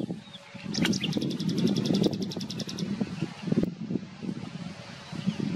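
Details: Common nightingale singing: a fast, even run of repeated high, clicking notes for about two seconds, over a steady low rumble of background noise.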